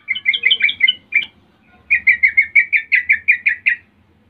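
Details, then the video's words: Sooty-headed bulbul 'rol' song used to provoke rivals to answer: a rapid phrase of bright whistled notes, a short break, then about a dozen evenly repeated, bouncing notes delivered roughly five per second. "pancingan trucukan Rol mengejek Lawan bikin trucukan lain seketika langsung Nyaut Buka suara"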